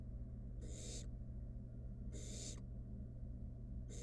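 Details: Two long, harsh snoring hisses and the start of a third come from a wild barn owl nestling playing with food from its mother in a nest box; steady low hum behind.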